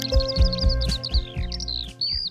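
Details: A Eurasian skylark sings on the Sultan Murat plateau near Trabzon, Turkey: a fast, high, unbroken stream of chirps and trills, over a steady, low background of music.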